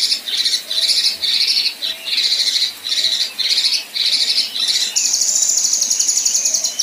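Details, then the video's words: Female Kinoi besetan and rough tembakan: a series of harsh, raspy buzzing bursts about every second, ending in a sustained very high, rapid shimmering trill. "Besetan Dan Tembakan Kasar Kinoi Betina"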